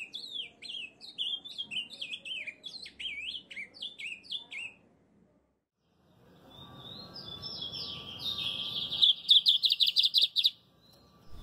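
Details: Ultramarine grosbeak from Brazil singing a quick, high, warbled phrase of rising and falling whistled notes. After a pause comes a harsher, rapidly pulsed trill over background noise.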